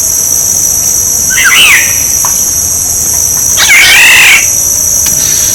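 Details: Black-naped oriole, played to lure birds: two rasping, nasal, wavering calls about two seconds apart, the second louder, against a continuous high-pitched hum.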